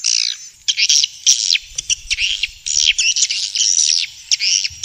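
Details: Swiftlet calling sound from Vietnam, aimed at luring swiftlets into bird houses: bursts of raspy, warbling high twitters roughly half a second long, separated by short pauses, with a faint low rumble.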